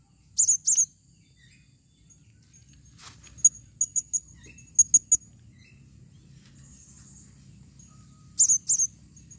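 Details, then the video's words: Female blue-crowned hanging parrot calling: high, thin squeaky double notes at the start and end, with a brief series of short sharp chips between, over a quiet low hum. "serindit betina memanggil"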